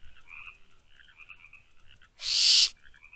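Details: Barn owl owlets in a nest box after midnight on 24 May 2023 give a single harsh, hissing screech lasting about half a second, following a stretch of quiet, continuous high trilling.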